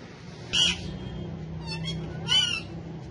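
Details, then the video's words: Tame male ringneck parakeet, a talking and dancing pet living among other parrots, gives two harsh, grating screeches about two seconds apart over a steady low hum. "Cute Talkative Parrots Speaking And Dancing So Lovely"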